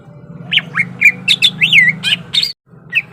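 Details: Greater green leafbird primed to fight, delivering a rich run of slurred whistles and harsh chirps, one long swooping note in the middle, then a brief break and a final chirp; low hum beneath.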